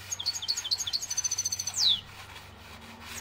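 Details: Song of an Algerian European goldfinch: a fast string of repeated high tinkling notes, then a sharp downward-sliding whistle, followed by quiet hum.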